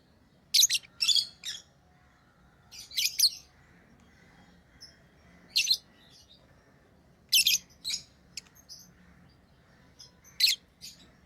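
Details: Pet lovebirds chirping: sharp, harsh high chirps in short bursts, several clustered near the start and then single loud calls every two to three seconds, over a quiet indoor background.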